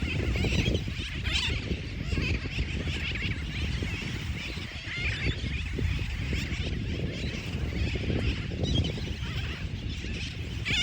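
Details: Sooty terns at a nesting colony at Fort Jefferson, Dry Tortugas. Many birds give overlapping nasal, chattering calls without pause, over a heavy low rumble of wind or surf.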